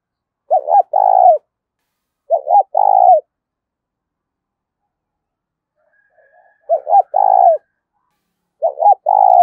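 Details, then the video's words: Spotted dove kept as a decoy, cooing daily to excite wild doves: four low, mellow phrases. Each is a quick double note run into a longer burred coo, with pauses of about two to three seconds between phrases. "Chim Cu Mồi, tiếng cu mồi gáy kích bổi mỗi ngày"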